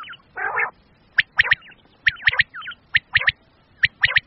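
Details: Common quail from Pakistan, calls offered as male and female quail sounds for quail hunting: one low buzzy burst, then sharp, clipped three-note calls repeated about once a second, clear against a quiet background.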